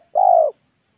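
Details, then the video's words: Single smooth, steady coo lasting under half a second from a local wild spotted dove singing at a roadside, voice described as thick and loud in pesom style, with silence around it. "TEKUKUR LOKAL RASA PESOM"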